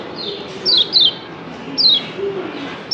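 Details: Lombok yellow white-eyes call back and forth in a recording used as a lure, giving short, high, thin descending chirps, several within three seconds, some in quick pairs, over a low background hum.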